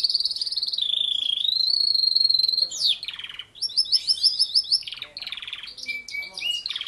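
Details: Canary singing: a long sustained trilled tone near the top of its range that slides and rolls, then rapid repeated rising chirps, buzzy bursts and short whistled notes, all continuous and clear with no other sounds.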